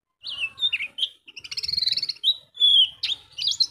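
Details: Pleci, or Oriental white-eye, singing for use as a master or lure: varied high whistles and chirps, a quick stuttering series of notes in the middle, and sharp upward flicks near the end.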